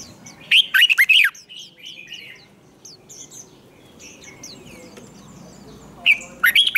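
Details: A red-whiskered bulbul sings to stir up rivals, fighting-song style with a long twisted voice: a loud rapid warbled burst, several seconds of soft high chirps from other birds, then another loud warbled burst.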